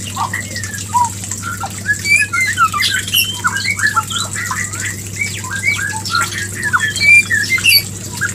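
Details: Mating call of a white-rumped shama, aimed at bringing a hen into breeding condition: dense, overlapping chirps and short whistled slurs, scattered and irregular, with a constant low hum underneath.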